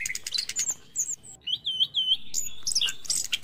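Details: Orange-headed thrush singing in the morning, a recording played to stimulate reluctant caged birds: a run of repeated looping whistled notes in the middle, framed by sharp high chirps and short buzzy bursts.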